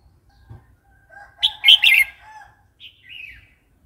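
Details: Red-whiskered bulbul delivering phleng pa, the wild song style used to coax new birds and tutor chicks: a loud rolling warble of several quick notes, then a softer, slurred falling phrase after a short gap.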